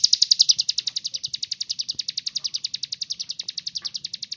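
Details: Sunbird known as kolibri ninja, a lively singer used to prompt young sunbirds into song: a sustained rapid high trill of evenly pulsed notes, slowing slightly toward the end.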